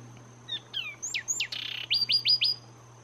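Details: Zapata Wren from Zapata Swamp, Cuba, singing: short whistled notes, two loud downslurred whistles, a brief harsh buzz, then four quick rising whistled notes in a row.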